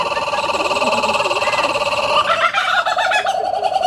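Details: Laughing kookaburra at Houston Zoo giving a rapid, rolling, chuckling laugh of fast repeated harmonic notes that rises into louder, higher cackles after midway, with faint human voices beneath.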